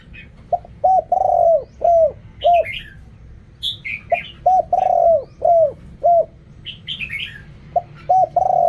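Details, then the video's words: Spotted dove singing in the Thai 'riak kham, khu kham, ok rong' style: repeated phrases of short coos around a long falling coo, about every three seconds, with high twittering chirps from another bird between phrases. "เรียกคำ คูคำ อกร่อง เสียงนกเขาใหญ่"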